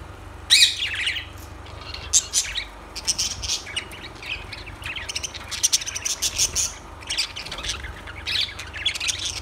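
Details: Lovebirds giving shrill, high chirps and short squawks in overlapping bursts, loudest near the start, with a steady low hum underneath.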